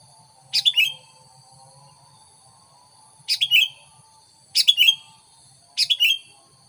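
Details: Sooty-headed bulbul lure song aimed at wild bulbuls: four crisp chirpy phrases, each a quick cluster of descending notes, separated by gaps of one to two seconds, faint constant tones behind.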